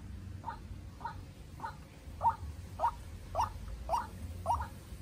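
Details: White-breasted Waterhen, a young decoy bird facing a wild rival in a fierce contest: evenly spaced, clipped rising notes about twice a second, growing louder toward the end, with low-frequency hum behind.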